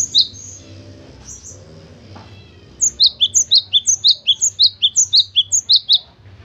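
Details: A few high chirps, then the pet cinereous tit launches into a long, even string of sharp, falling two-note whistles, roughly two phrases a second, over a faint low background hum.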